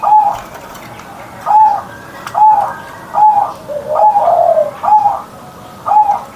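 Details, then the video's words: Zebra dove kept as a cherished pet bird, singing each morning: short rolling coos spaced roughly one second apart, a slightly longer lower note midway, in a quiet room. "Perkutut Manggung Gacor Suara Besar"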